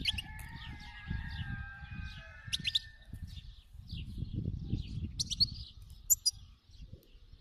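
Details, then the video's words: Wild-type European goldfinch singing: quick bright high chirps and twittering notes in scattered bursts, with a few sustained tonal lines early on and a low rumbling background throughout. "تغريد الحسون الخلوي"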